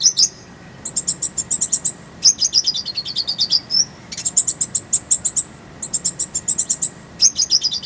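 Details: Konin (kolibri ninja) tutor song: continuous bursts of rapid, high, tinkling trills with short pauses, each trill made of many quick bright notes, some phrases gently descending; faint hum behind.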